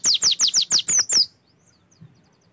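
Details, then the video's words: Oriental white-eye song meant to get other birds singing: seven quick, very high notes, each sliding sharply downward, then the clip falls quiet. "PANCINGAN AMPUH SUPAYA PLECI LANGSUNG BUKA PARUH"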